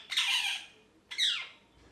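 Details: Happy pet parrot giving two drawn-out, harsh squawks, the second sliding downward in pitch, with a gap between them.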